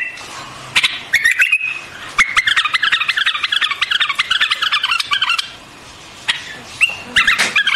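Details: A white-eared bulbul gives a wavering whistle, then a long quick series of bright, bouncing chirps, a pause, and further short notes.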